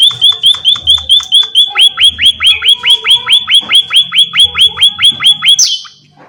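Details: Energetic munia: over two dozen sharp, high chip notes with falling tails in a steady, fast rhythm, ending with a short hiss and quiet.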